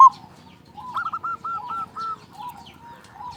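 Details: Local zebra dove singing to lure other doves into song, a series of soft rolling coos near one pitch, fading in and out over faint background chatter of other birds.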